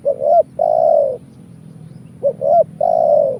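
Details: Spotted dove calling as a trapping lure: two phrases, each a short rising hooked coo leading into a long, smooth, slightly falling coo, separated by about a second of quiet with a soft background hum.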